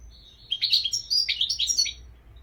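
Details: European goldfinch pouring out a continuous rapid twitter of bright, slightly buzzy chirps for about a second and a half.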